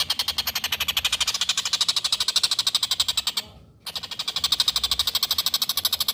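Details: Collared kingfisher in lively voice, recorded as a master track for training songbirds: rapid, harsh, evenly spaced chattering notes, several per second, broken by one short pause midway before resuming.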